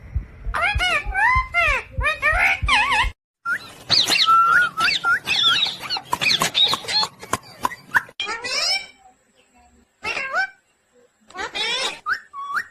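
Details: Talking pet parrot imitating speech: rapid strings of harmonic, speech-like syllables with squeaky whistled notes, bursts separated by short pauses, some low background hum early on.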